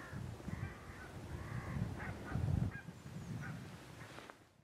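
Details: Red-necked grebe (Podiceps g. grisegena) at the Harchies marsh, Belgium, in February 2016, giving nasal, wailing and braying notes in a loose run, some drawn out, some clipped, over a steady low rumble of wind.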